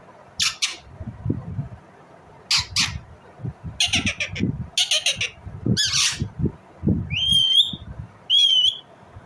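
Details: Indian ringneck parrot giving a run of harsh, buzzy squawks in short bursts, then two clear whistled chirps with a wavering tone near the end, over low rustling and thumping background noise.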